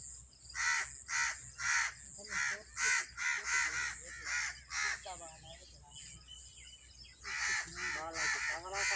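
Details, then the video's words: Angry crows around a tree calling for other crows, a rapid, uneven run of harsh raspy caws, about two per second, with a brief stretch of human voices in the middle before the cawing resumes. "sound of crows | crow birds crowing angerly"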